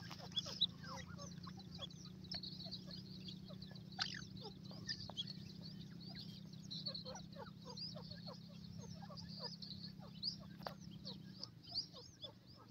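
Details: Young black francolin chicks playing and fighting on grass give a constant stream of thin, high peeps and short chirps, many overlapping and several per second, over a steady low mechanical hum.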